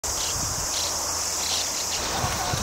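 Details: A huge mass outbreak of white-cheeked starlings near the Mitsuke interchange, Nakanoshima, Nagaoka, Niigata, Japan, in 2006, makes a steady, high, hissing roar of countless overlapping harsh calls, with a faint low rumble beneath.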